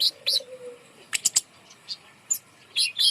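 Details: A bird hung aloft to stir quiet birds into song opens with a long, low wavering whistle. Crisp high chirps and squeaky notes follow.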